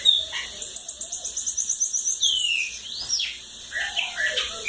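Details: Bananaquit singing in the cachorro loco da lagoa d'água style: a rapid high trill of about a dozen even notes, then a long falling whistled slur and a few scattered chirps.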